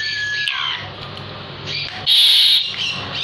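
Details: Asian pied starling held in the hand, singing vigorously: a short falling whistle, a hissing wash of sound, then a loud harsh rasping burst.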